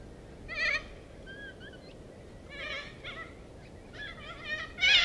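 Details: Huge flock of little corellas foraging in a suburban Melbourne neighbourhood; overlapping harsh, wavering screeches and shorter squawks from several birds, coming in clusters across the clip.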